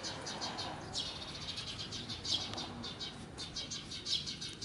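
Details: Parent sparrow at an apartment bicycle parking area in Japan, chattering a rapid alarm while drawing a predator's attention away from its fledgling; quick series of high, short chirps in bursts, repeated through the clip, over faint background noise.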